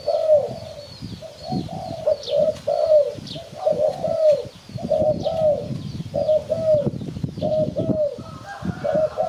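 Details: Repeated mellow coos of a spotted dove, a lure sound for catching birds, given in steady pairs and triplets of short then drawn-out notes throughout, with background thudding and faint high-pitched chirps of small birds.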